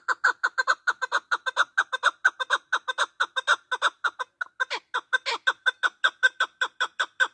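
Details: Male partridge calling, a voice used to lure birds for hunting; a long unbroken run of rapid, hoarse clucking notes, about four per second, steady and loud throughout.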